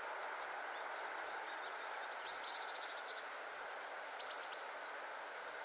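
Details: Spotted flycatcher family at 51.943564, 20.122272: loud, high, thin notes at uneven intervals, and between them a quick rattling series of lower ticks, over a steady noisy background.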